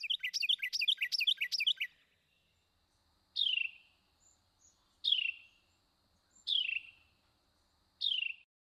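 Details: One Carolina wren's repertoire, a variation on its typical teakettle song: a quick run of loud, rolling triple-note phrases, then four separate down-slurred whistles about a second and a half apart.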